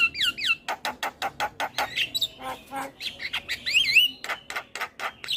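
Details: Javan myna in a full 'isian' song, played as a tutor recording to prompt quiet mynas: a fast mix of sharp repeated clicks, harsh squawks and looping, rising-and-falling whistles, with a brief break of lower rasping notes midway.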